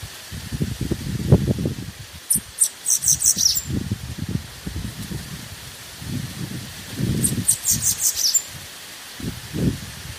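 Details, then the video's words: High, thin, tinkling bananaquit song phrases heard twice, each about a second long, amid frequent low rustling and thumping noises; the song is played to warm up other birds. "CHAMO DE SIBITE COM CANTO PRA ESQUENTA"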